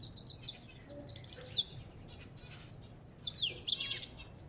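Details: Two quick bursts of high, tinkling twitter from an African goldfinch, with descending slurred whistles and fast trills separated by a short pause.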